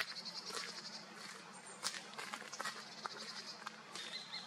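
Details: A common kestrel, filmed in the Eifel region of Germany, gives a shrill, rapid series of high, scratchy notes.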